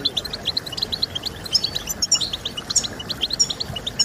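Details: Short burst of goldfinch song used to encourage singing: bright, tinkling chirps fired in quick succession, some sharper ringing notes standing out, over faint hiss.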